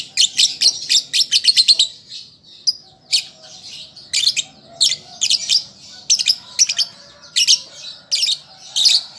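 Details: Young lovebird learning to sing, meant to get birds to reply: it opens with a rapid string of shrill chirps, then gives loud, regular squeaky notes roughly every half second.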